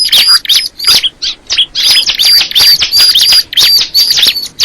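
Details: Fast, high-pitched bar-winged prinia song made of clipped chirps and thin whistles, repeated nearly three times a second in a lively, irregular rhythm.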